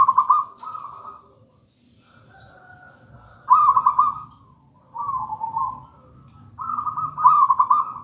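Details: Local zebra dove of the gedang rojo style singing steadily, used as a lure and master song to train doves not yet singing; mellow trilled coo phrases about every one and a half seconds, with quiet gaps between them.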